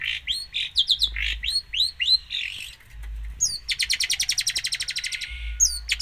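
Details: Gacor long-tailed shrike with a song full of isian. It gives clear rising whistled chirps, then a fast rattling trill of evenly spaced, rapid notes lasting over a second, ending with a high squeak.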